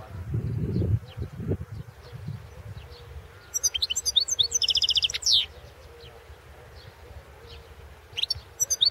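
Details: European goldfinch singing for a 2016 world song championship: low rumbling at first, then a burst of high twittering and a quick buzzy trill of repeated notes ending in a downslur, with a brief chirp later.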